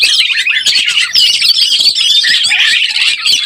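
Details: Lure recording of an excited Oriental magpie-robin in breeding condition: a dense, unbroken stream of high scratchy warbling and thin whistles, harsh and crowded throughout with little pause.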